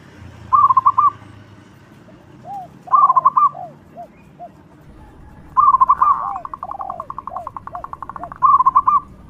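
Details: Local Indonesian zebra dove singing loudly, a recording used as a lure to draw other doves: short bursts of four or five quick bright staccato notes every couple of seconds, with softer lower arching coo notes between bursts.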